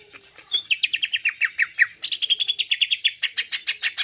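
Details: Greater green leafbird singing a masteran or pancingan phrase meant to agitate listening birds: a long, even series of quick, clipped, slurred notes, about five per second, with pitch stepping up halfway through.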